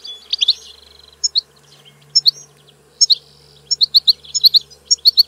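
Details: European goldfinch singing: bright high twittering notes and short trills in scattered bursts, with a steady buzzy note near the start and a run of rapid tinkling chirps toward the end.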